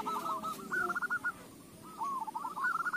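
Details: Zebra dove song used as a lure to set other doves singing: two quick rolling, bubbling coo phrases, each a fast trill of short notes, over a low background hum.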